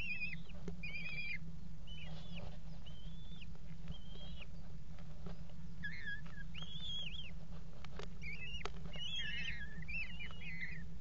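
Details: Eurasian kestrel pair at a nest box in a water tower on 5 February 2018, mating on the box edge; repeated short wavering whines throughout, turning denser and more excited near the end, over steady low hum and clicks.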